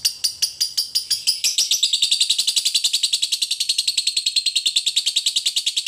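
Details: Lovebird chattering in the ngekek style, a recording meant to train lovebirds to sing actively. Sharp separate chirps speed up into a fast, even rattle of shrill buzzy notes that runs to the end.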